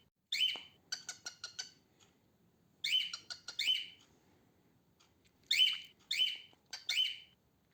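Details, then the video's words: Female cockatiel, a pet, calling in bursts: a loud grating squawk followed by a rapid run of four or five short raspy notes, repeated three times with pauses of about a second. "Female Cockatiel Sounds and Singings, Female Cockatiel Noises"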